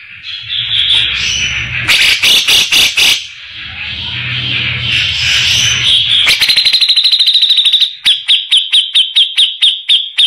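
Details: Grey-cheeked bulbul with a harsh voice, used as tutor song for white-rumped shamas: rapid trills of high notes near 4k, broken by loud broadband rasping bursts, with a low hum in the background at times.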